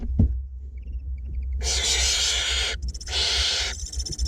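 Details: Feeding of two barn owlets in a nest box, north Glasgow: faint high ticks, then two loud, harsh wheezing screeches, the first longer, with a sharp thump at the start.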